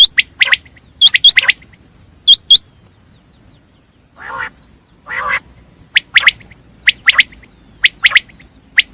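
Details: Batir, the common quail: bursts of sharp clipped notes and hooked chirps, two harsh rasping calls in the middle, then regular three-note phrases roughly every second.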